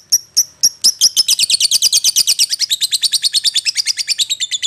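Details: Calling lovebird luring its companion: a few separate shrill chips quickly speed up into a rapid, buzzy chattering run of high notes, roughly six or seven per second.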